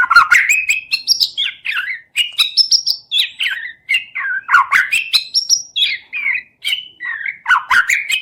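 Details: White-rumped shama singing a 'cess plengg' song used to provoke other shamas into singing: a loud, continuous flow of varied whistled and slurred phrases, rising and falling, with sharp clicks between the notes and no pauses.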